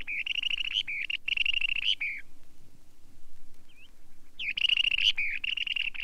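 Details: Long-billed Dowitcher giving bursts of fast, high, squeaky notes, each burst about a second long. A quiet gap of roughly two seconds falls between the second and third bursts.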